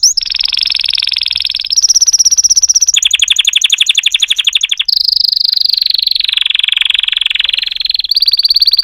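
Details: Singing canary delivering sustained rapid trills, each held a second or two before switching to a new pitch and texture, some rattling and some smooth and whistled.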